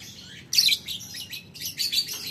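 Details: Lovebird calling a rival, ngetik ngekek: two dense bursts of harsh, high, scratchy chatter about a second apart, each trailing off into softer rasping.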